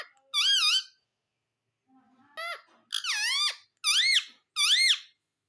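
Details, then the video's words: Pet parrot talking indoors: five loud, high, wavering squeaky syllables with dipping and rising inflections, spaced about a second apart, plus a faint low murmur. "mitthu ji bate kar rahe hai"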